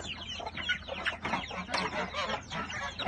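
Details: Chickens leaving their coop in the morning: a busy mix of overlapping clucks and chattering calls from several hens, continuous and dense throughout.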